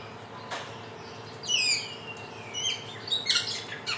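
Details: A samyong, or Helmeted friarbird, native to Indonesia's NTB and NTT and celebrated for its 1001 voices, gives high squeaky notes that slide downward, followed by scattered sharp chirps.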